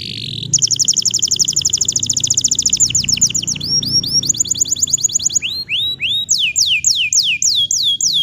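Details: Bottle-green canary singing steadily, offered as a tutor song for young canaries learning to sing: a long fast trill of repeated high notes, then rolling downward-sweeping whistles that speed up and slow into looping slurred phrases, with faint low hum behind.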